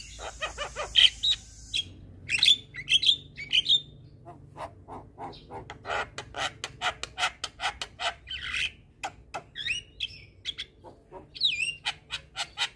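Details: Jalak kebo, the Javan myna, singing ocehan chatter meant as a tutor for young birds: a quick series of short clicking strokes, whistled slurs and buzzy notes, with brief pauses between bursts.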